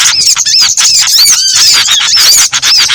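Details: Small birds in a mixed lure for bird trapping: repeated curved whistles over steady high chirping, with one lower, rising note in the middle of the stretch.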